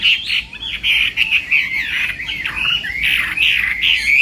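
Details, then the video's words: Chinese hwamei singing in morning contest training, a continuous run of loud whistled, slurred phrases over a faint background hiss. "Hoạ Mi Hót Đấu /hoạ mi hót sáng luyện giọng"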